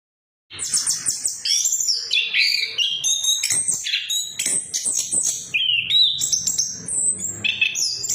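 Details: Orange-headed thrush, locally anis kembang or punglor, singing a lure meant to rouse silent birds of its kind: a dense, fast torrent of high whistled and chattering phrases, sliding up and down, with no pauses after a brief silent start.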